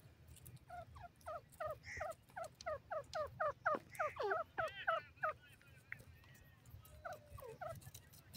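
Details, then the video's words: Grey francolin calling in a cage: a rapid series of sharp, rising two-part notes repeated about three times a second, briefly breaking off before a few more notes return near the end. "dakhni teetar pinjray pr boli karta ha"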